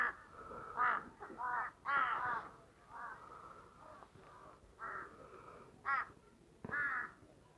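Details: Several harsh, rasping crow caws in Tirthan Valley, Western Himalaya, forest village with apple trees; calls come in uneven groups, some drawn out, with quieter caws between.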